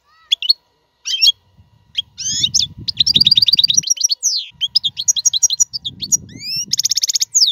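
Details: European goldfinch song for tutoring caged fledglings; bright high twitters and rapid liquid trills, a buzzy rattle at the end, with quiet low thumps underneath some phrases.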